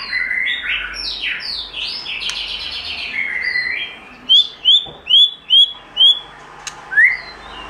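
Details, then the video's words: White-rumped shama, wild-style forest song: sliding whistled phrases between mid and high pitch, then a rapid run of six bright rising whistles about every half second, ending with one upslurred note; faint background hiss. "Chòe Lửa Hót Giọng Rừng"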